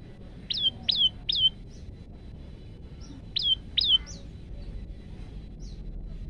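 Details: Male olive-backed tailorbird, recorded on a phone as a training recording for other birds, giving short sharp notes dropping from high to a steady pitch, in two bursts of three with pauses, over low background hiss.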